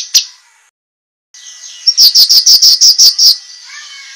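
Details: Cucak kinoi song used as sharp master training material for competition birds: a loud burst of high, rapid, repeated ringing notes, about ten in under two seconds, after a single sharp note and brief silence, with a faint steady high tone throughout.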